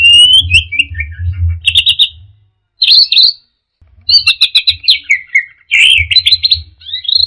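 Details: Orange-headed thrush delivering teler song, a lively string of loud clear whistles, slurred downward notes and quick stuttering chirp bursts, with two short silent gaps and a low pulsing beat underneath.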